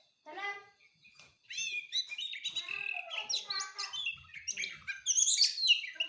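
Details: Magpie-robin delivering a continuous varied song: rich whistled phrases, rapid twittering and scratchy notes tumbling together, growing louder and higher toward the end.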